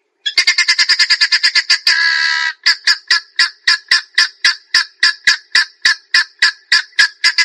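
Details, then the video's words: Grey junglefowl giving a rapid burst of harsh clucks. A short continuous raspy note follows, then a steadier series of loud, clipped notes about three per second. "Grey Jungle Fowl"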